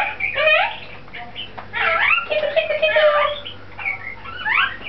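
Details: A pet lorikeet saying hello for its owner, who is overseas, chatters in a run of squeaky, voice-like phrases with rising and falling slurs, mimicking human speech in a small room.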